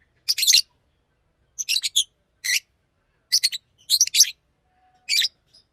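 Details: Scratchy, high-pitched chirping from a pet green Fischer's lovebird: six bursts of clipped, rasping notes, often doubled or tripled, spaced about a second apart.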